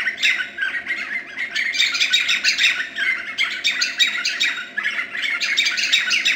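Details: Continuous rollicking chatter of White-fronted nunbird, recorded in 2013 at Boca Tapada de Arenal, Alajuela, Costa Rica: rapid overlapping harsh notes, about three per second, with no pause.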